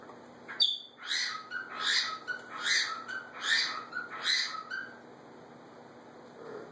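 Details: A bonded macaw pair interacting, the male coming out of the nest box to the calling female, trades harsh, raspy squawks, about six bursts in quick succession over a few seconds, with a faint steady hum behind.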